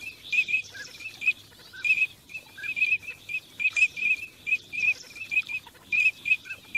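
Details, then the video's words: High, clipped teal whistles during migration, given singly and in quick doublets with a few softer lower notes, repeated steadily over light background rustle. "teal call migration song"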